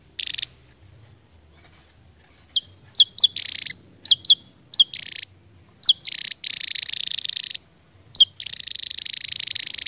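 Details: Javan tesia, an endemic species, with its long 'ngebren' song: sharp high whistled notes that drop in pitch, repeated every half second or so, then long fast buzzing trills at the end.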